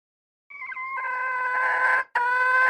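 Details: Red junglefowl hen giving a drawn-out harmonic call that starts as a thin steady tone, then swells into a loud, harsh, rich note lasting over a second. The note breaks briefly, then resumes strongly. No other sounds are heard.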